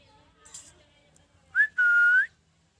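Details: Pet rose-ringed parakeet, a rescue bird, sounding happy: soft room murmur, then a short rising chirp and a sustained clear whistle curving slightly up at its end.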